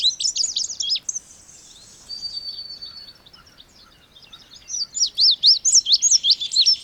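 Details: Indigo bunting giving bright, high slurred notes in quick succession, a thin sustained whistle in the middle, then a loud, rapid string of rising and falling chirps.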